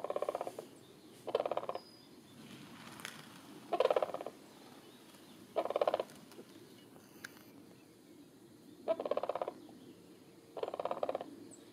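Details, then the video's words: Cranes leaving to roost, giving loud trumpeting calls in six separate bursts about every two seconds, each a rolling, harmonic-rich cluster of notes, with quiet background between bursts. "cranes leave to roost"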